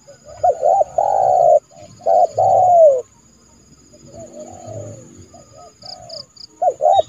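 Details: Trained spotted dove decoy luring a rival bird into a yard trap in January, giving loud rounded coos with a falling drawn-out note, then quieter distant cooing and faint high chirps.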